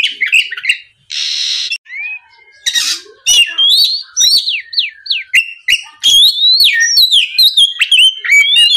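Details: Oriental magpie-robin song played to provoke a rival: an opening harsh noisy squawk burst, then rapid varied whistled slurs and chips that grow denser toward the end.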